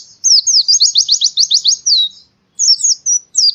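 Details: White-eye singing as in the forest, Central Java, Indonesia: a brisk trill of about a dozen high, slurred notes, a short silence, then a few quick bright twitters.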